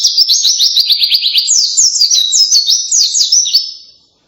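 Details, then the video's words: Loud white-eye song with a canary-like quality: high, fast trilled phrases delivered without pause, shifting to sharper zigzag notes before fading out. "kicauan keras pleci rasa kenari"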